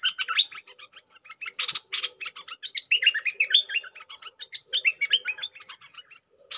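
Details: At 6 am a decoy red-whiskered bulbul and the rivals it draws in to fight give dense, rapid chattering: many short, bright, warbled chirps jumbled together without pause. A soft, steady insect hum sits underneath.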